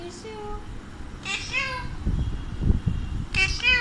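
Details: Pet Alexandrine parakeet, kept indoors, talking: three bursts of bright, nasal, harmonic voice-like squawks near the start, middle and end, with a person's low speech in between.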